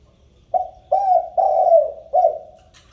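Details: Spotted dove cooing to call the flock, used as a lure: a series of four low, mellow coos, the third longer and drawn out, in a quiet setting.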